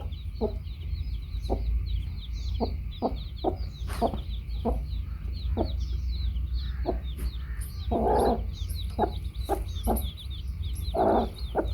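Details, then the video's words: Baby chicks and hen: constant high-pitched chick peeping. Soft, evenly spaced clucks from the hen come under it, with two louder, broader clucks later on, over a low steady hum. "Baby Chicks hen"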